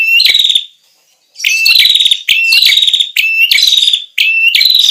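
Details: Ashy tailorbird, a lure recording: loud phrases, each opening with a sharp upslurred note and running into a fast buzzy trill of even notes, repeated with short gaps and one longer pause, no other sounds.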